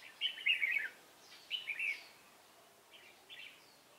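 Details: Wild red-whiskered bulbul from Hòa Bình, lured by a decoy on 18 November 2017, gives two clear warbling phrases of quick chirped notes, followed by softer, more distant replies.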